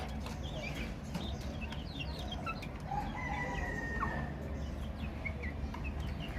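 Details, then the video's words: Baby chicks peeping in a group: scattered quick high chirps, plus a couple of longer, steadier whistled notes near the middle, over a constant low hum. "Chicks Chirping Sounds - Baby Chicken Sounds"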